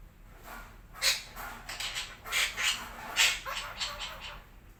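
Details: Red-breasted parakeet calling in the morning, a fast string of about eight scratchy, harsh chattering notes of uneven loudness in under four seconds against a faint hiss.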